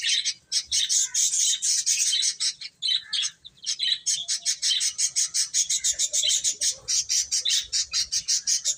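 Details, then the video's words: A group of chicks, eating and playing, keeps up rapid high peeping; the later half turns into evenly spaced, quick repeated chirps. "Cute Chicks Eating and Playing | Baby Chicken Chirping Sounds"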